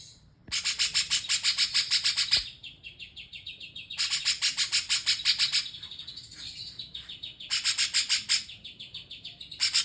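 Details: Grey-cheeked Bulbul-style song with three loud bursts of fast, harsh, high-pitched repeated notes, each lasting one to two seconds, separated by quieter pauses.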